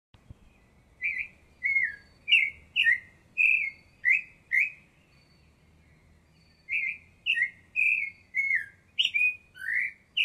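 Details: Baltimore oriole in La Garita, Alajuela, Costa Rica, giving a series of short, slightly harsh, downslurred chattering notes, roughly two per second, in two bursts separated by a pause of several seconds, over a faint low rumble.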